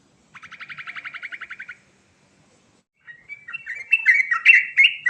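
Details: Sooty-headed bulbul in rolling 'ngerol' song with varied fill-in phrases. It opens with a steady trill of about fifteen quick repeated notes, goes silent for a second, then gives louder jumbled chirps and warbled notes of shifting pitch.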